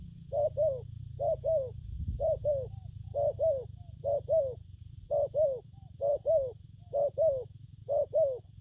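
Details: Rhythmic spotted dove cooing, local styles gù phóng, kèm and gù lăn: ten paired low hoots, the second of each pair bending downward, repeated about once a second over a steady low hum, with one soft thump.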